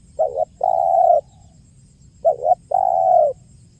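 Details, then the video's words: Spotted dove giving its call for luring birds: two phrases, each a short double coo followed by a long, steady, drawn-out coo, loud and clear over low hum. "SUARA JERNIH BURUNG TEKUKUR KUK 1 GACOR PALING AMPUH UNTUK PIKAT DAN PANCINGAN"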